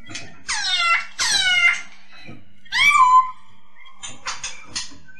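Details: Masked laughingthrush (poksay Hongkong) recorded as a clear tutor track for training other songbirds: three loud, harmonic, squealing notes sweeping downward, then a lower rising note and a few short scratchy bursts, over a faint steady hum.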